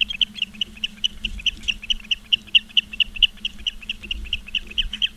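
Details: At a nest in Charlo, Montana, on 15 August 2023 at 16:06, ospreys on a live cam give steady high whistled yelps, a little over two per second, evenly spaced above a low mechanical hum.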